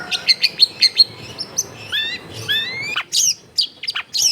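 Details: Long-tailed shrike, kept as a songbird, used as a therapy recording to prompt a reluctant bird to sing; a run of sharp repeated chips opens, then slurred rising whistles and harsh high notes follow in quick succession.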